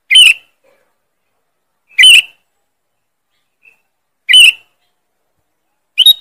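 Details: Loud, sharp lure call of a sooty-headed bulbul: harsh, squawky chirp bursts repeated about every two seconds, four in all, with silence between.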